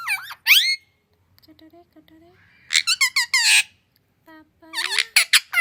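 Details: Talking parrot kept at home, said to use several languages including Hindi and English; sharp shrill word bursts alternate with a softer, lower voice and short pauses.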